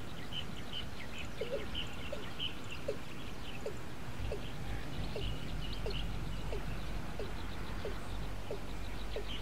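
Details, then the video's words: Male Watercock (Gallicrex cinerea) calling while fully hidden, at Ayutthaya, Thailand, on 20 May 2014: a series of short, hollow, mid-pitched notes about two per second, over a low rumble and faint high chirps from other birds. "Gallicrex cinerea นกอีลุ้ม Watercock, M call"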